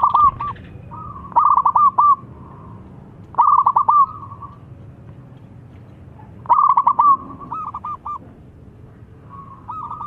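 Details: Zebra dove, a wild local bird with a big voice, cooing as a lure for other doves; repeated phrases of staccato, bubbling coos, each ending in a few quick notes, with pauses between phrases.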